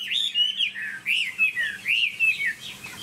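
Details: Caged Chinese hwamei, a tame bird kept by a songbird hobbyist, singing loud clear whistled phrases that swoop up and down, about five slurred notes spread over three seconds with short pauses between them.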